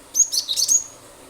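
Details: Cinereous tit singing 'nembak nembak' to coax other birds into song; one rapid jumble of sharp, high notes lasting under a second, then quiet.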